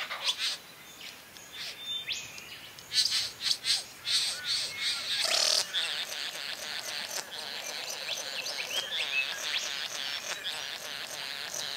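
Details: Satin bowerbird during courtship display: a cluster of loud, harsh buzzy bursts mid-clip, then a thinner stream of rasping, scratchy notes over steady hiss.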